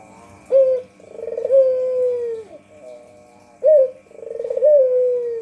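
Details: Luring coo of a local white Barbary dove, two full phrases, each a short emphatic note followed by a pulsing trill that flattens into a long falling coo, faint hum in the background.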